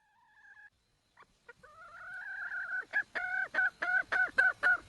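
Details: Wild red junglefowl hen calling for a male mate: a few short soft notes, then a long drawn note rising slightly, breaking into a run of about eight quick, evenly spaced cackling notes, each bending downward.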